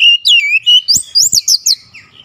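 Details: Oriental magpie-robin (kacer) pouring out persistent song: a sustained whistle then rapid high, looping notes repeated in quick succession, with a couple of soft clicks.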